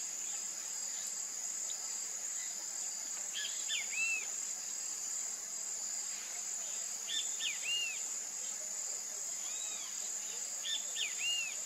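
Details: Great kiskadee, known in Brazil by the echoic name bem-te-vi, repeating its short-short-long phrase three times at intervals of about three seconds. A steady buzzing insect drone runs underneath throughout.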